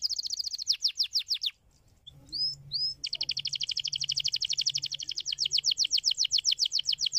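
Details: Canary song to stimulate other canaries to sing: rapid rhythmic trill of sweeping notes, a brief pause with two short rising whistles, then a long fast trill; low background hum.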